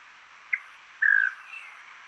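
Slate-headed Tody-Flycatcher: a short sharp tick, then a quick dry buzzy trill lasting about a quarter second, with faint chatter after over a hissy background.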